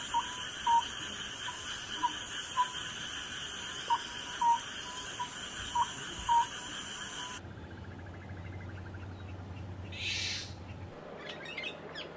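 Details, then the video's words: Oriental scops owl calling at night: short, hollow mid-pitched notes about every two seconds over a steady night hum, before the sound cuts to a quieter, noisier scene. "소쩍새 우는소리"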